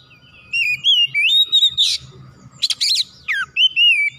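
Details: Oriental magpie-robin, or kacer, in strong song, unloading its isian fillers, used to provoke other magpie-robins into singing: sweet slurred whistles, then harsh buzzy bursts, closing with falling and level whistles over a faint low hum.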